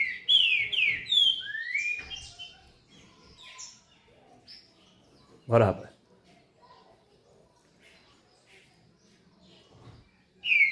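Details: Double-collared seedeater (coleiro) singing at almost 5:40: a quick burst of clear, slurred whistled notes sweeping up and down in the first two seconds, then a man's brief speech and scattered faint chirps, with a last whistled note at the end.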